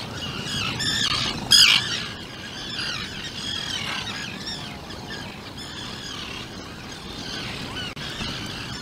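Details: Atlantic puffin parents and their 2-day-old chick in a Seal Island burrow: a cluster of rough squawks with one loud burst early, then fainter scattered calls over constant background hiss.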